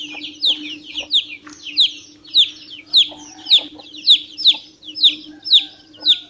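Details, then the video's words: A chick peeps repeatedly, giving roughly eleven piercing descending whistles, uneven at first and then steadier, against a soft continuous hum. "PINTINHO PIANDO MUITO - SOM DE PINTINHO VERDADEIRO"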